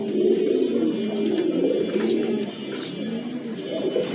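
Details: Giribaz pigeons, a high-flying breed kept as male and female birds indoors, cooing together as a dense, overlapping chorus of low, rolling coos with no clear pauses.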